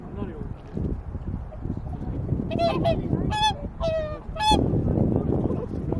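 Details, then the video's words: Resting swans at Lake Utonai near Tomakomai, Hokkaido, Japan; after a few seconds of low background rumble, four or five loud harmonic honks ring out in quick succession, slightly irregular in timing. "白鳥の鳴き声 苫小牧のウトナイ湖で休憩中 Lake Utonai Hokkaido Swan voice"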